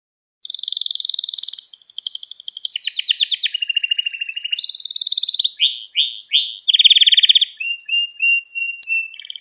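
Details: Song of a canary used as a lesson for young canaries: a long rolling trill, a lower buzzy section, short whistled notes, rapid rising sweeps and a low rattling tour, clear and uninterrupted.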